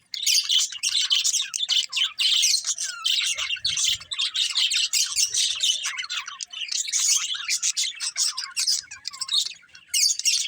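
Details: Continuous lively budgie chatter: scratchy, high chirps and warbled notes overlapping in rapid succession for the whole stretch.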